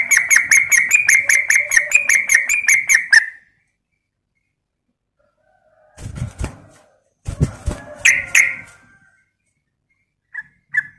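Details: Lure call of a female yellow-vented bulbul summoning a male. A three-second volley of quick, evenly spaced chattering notes, then silence broken by dull knocks and thumps and a couple of brief squeaky notes.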